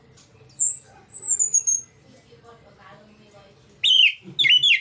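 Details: Orange-headed thrush singing ngeplong style to coax others into song. A long, clear whistle slides slowly downward, then soft murmuring notes, then two quick bright warbled phrases.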